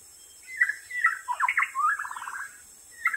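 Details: Wild white-rumped shama singing vigorously: a rich run of whistled notes, quick slurred upsweeps and a fast rattling trill, phrases rising and falling in mid pitch, over a steady high insect-like ringing drone.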